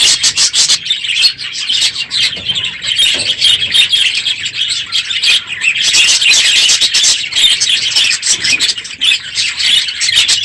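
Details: Budgerigar aviary holding the most birds of the year at the end of the breeding season, loud this morning; high chattering and chirps from many birds, rising in intensity midway.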